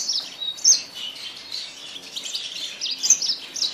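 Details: Yasmin bird singing: a high, thin twittering warble of quick chirps and short slurred notes, with brighter accented notes near the start and end.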